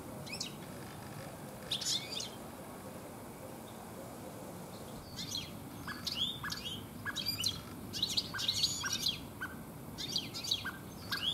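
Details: European goldfinch in a garden in late afternoon, singing alone or with other birds; brief twitter early, then a lively, continuous run of rapid chattering, tinkling notes through the second half, over light background hum.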